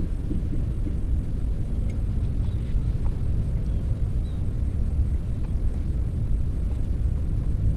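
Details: Constant low, rough rumbling, like wind or a distant engine, runs through the recording with only faint ticks and no clear animal call.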